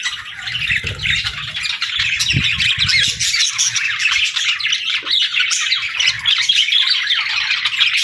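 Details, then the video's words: Chorus of pet budgerigars keeping up a thick, unbroken warbling chatter of rapid chirps and raspy squawks, with a few low knocks and rustles early on. "Bird Chirping Sound 🐦🎶 | Cute Pet Birds"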